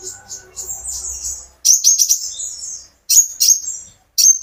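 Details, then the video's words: Captive sunbird (konin, kolibri ninja) kept by its owner, its lively song used to prompt other birds to sing: rapid bursts of very high, sharp twittering notes in quick clusters, separated by brief silent pauses. "burung konin gacor pancingan terapi burung kolibri ninja agar ikut gacor"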